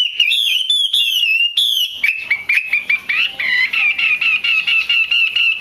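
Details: Female hwamei call meant to stir males to song: sweeping high whistled notes at first, then steady pulsed whistling broken into rhythmic bursts at a little over two per second.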